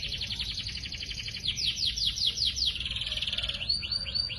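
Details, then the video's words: Song of young canaries used as a master recording. A dense buzzy trill leads into a series of bright downslurred whistles, then short rising-falling chips, all fairly soft. "SUARA BURUNG KENARI GACOR (MASTERAN KENARI ANAKAN)"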